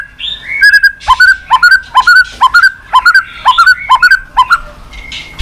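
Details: White-rumped shama in continuous 'tạch' calling meant to fire up a weak bird. A short, mid-pitched whistled phrase with a dipping, bouncy note repeats about twice a second, almost identically, eight times.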